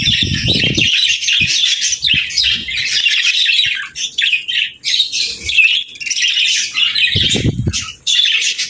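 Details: Budgies singing in bursts of bright chirping and warbled squeaks, pausing briefly several times, with low rumbling knocks at the start and near seven seconds.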